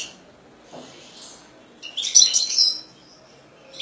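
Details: A hobbyist's European goldfinch gives a short burst of high, bright twittering near the middle, then quiet with a faint later note.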